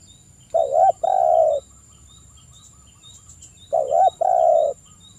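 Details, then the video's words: Two paired coos of a spotted dove, from a recording intended to prompt doves to call: a brief quavering note then a sustained mellow coo, repeated once after a pause, with a steady faint high whine. "PANCINGAN TERAPI TEKUKUR GACOR CEPET NGALAS"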